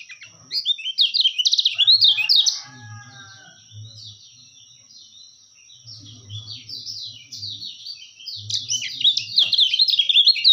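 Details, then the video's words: Kecial kuning white-eye singing, used as tutor song and for catching birds: two loud bursts of rapid, high, tumbling twitters separated by a quieter stretch with soft low thuds. "masteran terbaik burung kecialkuning"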